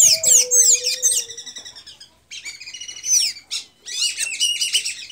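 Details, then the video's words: A Blue-gray tanager in Santa Inês, Maranhão, Brazil, sings a fast, squeaky twitter of high, slurred notes in two bursts with a short pause, plus a brief low whistle at the start. "Pipira azul cantando muito"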